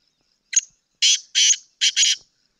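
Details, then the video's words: A Sindhi black francolin calls once. A short sharp opening note is followed by three coarse, buzzy, grating notes, the last two run together, in clear quiet surroundings. "Kala teetar Ki awaaz video سندھی کالے تیتر کی مکس اوازیں"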